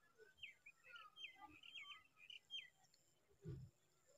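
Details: Baby common tailorbird begging with a worm stuck in its mouth: a rapid run of short, high chirps and squeaky notes, some with brief downward slurs, then a dull low thump near the end.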